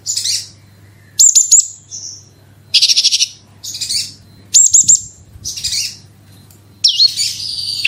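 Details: Singing Horsfield's bush lark, called branjangan, in lure-style 'gacor roll tembak' song to spark singing: short separated phrases of buzzy trills and high ringing chirps, ending in a sustained high whistle, low hum underneath.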